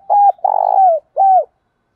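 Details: A spotted dove, recorded for training other doves to call, gives a low, hollow three-part coo: a short note, a longer throbbing note sliding down, then another short note.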